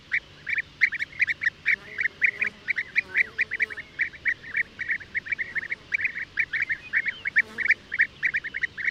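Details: Merops apiaster, the European bee-eater, giving a steady stream of brief trilled notes packed closely together, almost continuous for nine seconds, a few fainter lower sounds underneath.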